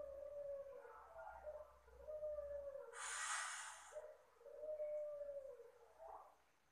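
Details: Puter Pelung dove with a gentle lure call: a chain of low, even coos rising and falling in smooth waves, broken once by a loud burst of hissing noise.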